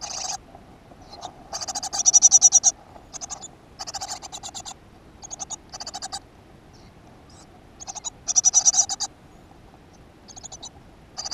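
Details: Great tit at a nest box in a school garden, 7 June 2015; scattered harsh pulsed bursts, a few loud and most softer, spaced by pauses of up to a second.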